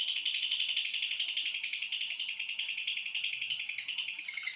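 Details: Ngekek trill of a female fighter lovebird, used to provoke other birds into responding: fast pulsed rattling chatter, evenly repeated and steady in loudness throughout, high and harsh with no other sounds.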